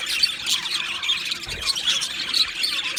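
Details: Two male budgerigars from Australia give rapid squeaky chatter, high and scratchy, with sharp accented chirps scattered through and a short dip in the noise midway.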